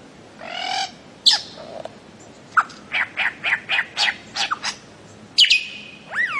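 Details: Bird-of-paradise producing a buzzy nasal note, then a run of about eight short evenly spaced chips, followed by a sharp high whistle that slides down into a steady tone.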